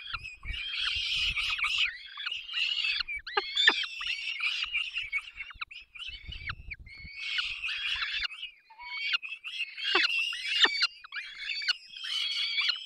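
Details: At a peregrine falcon nest in the Barycz Valley, 3 May 2024, nestlings scream as the pair feeds them: choppy, harsh wailing phrases in rapid clusters, with soft low bumps underneath.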